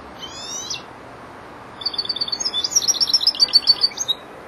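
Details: European goldfinch, four months old, practising the endings of its song: a short buzzy rasp, a pause, then a quickening burst of bright tinkling twitters rising in volume before stopping.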